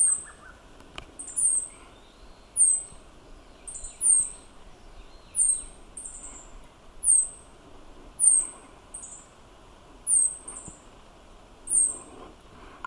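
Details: Meadow bunting calling on 31 May 2022, recorded with an Olympus OM-D E-M1 Mark II: a long run of about a dozen high, thin, falling notes, one every second or so, against quiet rural background hiss.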